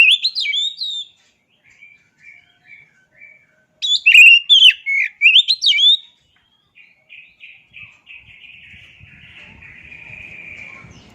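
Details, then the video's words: Oriental magpie-robin song: loud whistled and slurred phrases with sharp upward and downward sweeps, broken by quieter, evenly spaced short notes, then a softer, steady buzzy trill at the end. "Dengar Suara Asli Kacer Ini"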